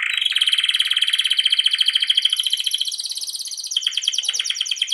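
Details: Canary master song used to train canaries, long rolling song: a sustained, rapid trill holding steady at high pitch for nearly four seconds, then shifting into a slower, choppier trill.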